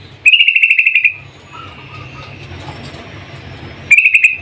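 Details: A female yellow-vented bulbul calls a male with a crisp, rapid rattle of about ten even notes lasting under a second. A quiet pause with low hum follows, then a shorter matching rattle at the end.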